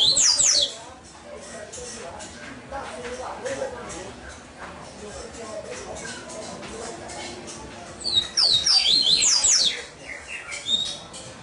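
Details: Captive double-collared seedeater: a short burst of high slurred whistles opens, followed by quieter background noise, then a longer, rapid series of sharp descending whistles.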